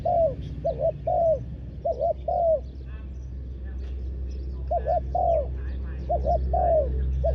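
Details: Ground decoy spotted dove luring wild birds, delivering repeated deep coo-coo-croo phrases, the last note bending downward. A quiet gap in the middle, then the calling resumes, with steady low hum underneath.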